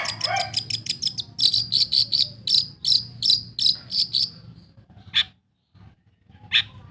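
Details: Kept long-tailed shrike giving a fast run of ticking notes, then louder buzzy notes repeated several times a second, then a pause and two isolated harsh notes.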